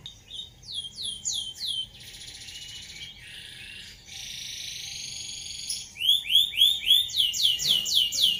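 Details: Canary singing in the rolling 'ngeroll' style used as a master song for training other birds: quick series of high, downward-sweeping whistled notes, then a dense buzzy stretch, ending in a fast run of bright repeated rolled notes.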